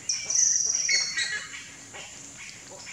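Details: Nest-bound buff-necked ibis chicks: a drawn-out, high, reedy whine with a wavering edge, followed by a few weaker squeaks and a brief sharp note at the end.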